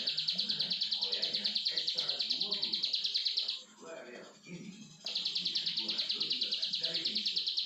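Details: Plain prinia delivering a fast, regular train of buzzy, high-pitched pulses, about three per second. It breaks off for a second amid low murmuring and background noise, then resumes the same rapid rhythm.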